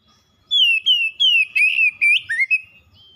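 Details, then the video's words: Caged oriental magpie-robin in full gacor song: a run of loud whistled notes, the first ones falling smoothly, later ones twisting and dipping, delivered roughly three per second. "KACER PELIHARAAN MACET BUNYI LANGSUNG ON GACOR SEKALI PANCING"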